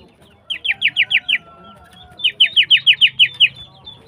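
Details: Female greater green leafbird in breeding condition, a bird kept for singing and used to spur silent males; two bursts of quick, sharp downslurred notes, about six then nine in rapid series, separated by a short pause, with faint low background hum.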